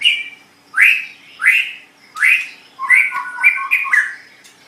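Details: White-rumped shama singing for a training recording aimed at teaching other birds: loud rising whistled swoops repeated about every half second, then a quick run of varied warbled notes.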